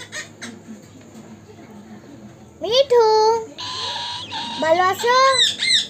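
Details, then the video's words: Pet Indian ringneck parakeet talking: after quiet background, loud harsh screechy phrases with wavering, speech-like tones and rising and falling notes in quick bursts. "Natural talking video | Indian parrot"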